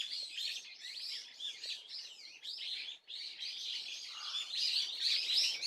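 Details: On 30 April 2024 a swallow twitters steadily: bright, high chirps and buzzy slurred notes strung closely together, with one short dip in volume near the middle of the passage.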